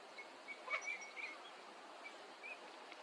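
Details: Eurasian teal (Anas crecca), a winter visitor, at a park pond in Chiba, Japan, in February 2025, gives soft, high, whistled notes, short and scattered, several within a few seconds, over a steady background hiss.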